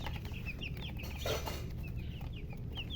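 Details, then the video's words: Chickens and a murgi hen, coloured chicks, giving scattered single high downward peeps a few per second, interrupted by a brief clattering knock, over a steady low rumble. "silly chicken chirping sounds with murgi hen color chicken"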